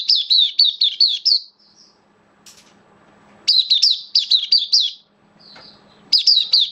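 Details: Oriental white-eye, a caged hobby songbird recorded 11 September 2022, slightly off form, delivering quick high chirping phrases of downward-sweeping notes separated by pauses with a faint low hum.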